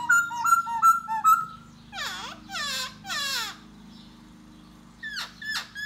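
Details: Laughingthrush ('da bò' type) singing and dancing to draw a female. Four clear whistled notes come in steady rhythm, followed by three harsh, broad, rasping calls and two sharp, high chips near the end.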